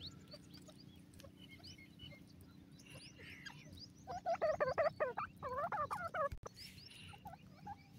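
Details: Grey francolin, called irani gora teetar, calling: after a few seconds of faint background chirps, a loud burst of rapidly repeated, harmonically rich notes rising and falling in a rhythmic series, then a short pause and another run, over steady low hum.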